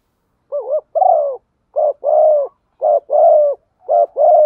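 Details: Hen spotted dove calling to excite a male: four paired coos in quick succession, each a brief wavering note then a sustained soft coo, roughly one pair per second.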